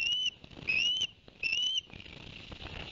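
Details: Osprey on a Barnegat Light live nest cam, 11 September 2021, while the male delivers two fish to the young: three clear rising whistles, each about a third of a second long, followed by faint background hiss.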